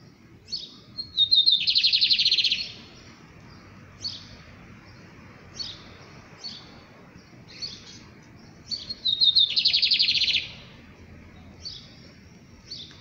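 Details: Bigodeiro, the lined seedeater, singing in bursts: short high chipped notes then two loud buzzy trills of rapid repeated notes, each over a second long, separated by scattered single chips and quiet gaps.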